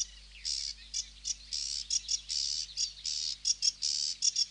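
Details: Sedge warbler singing a chattering run of harsh, buzzy bursts, some long and some clipped short, uneven in spacing, over a faint low hum.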